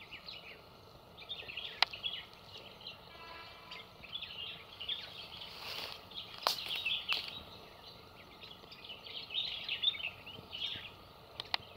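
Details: Chestnut-headed bee-eaters catching and eating insects give a steady chatter of short, trilled chirps throughout, with a few sharp clicks and faint background hiss.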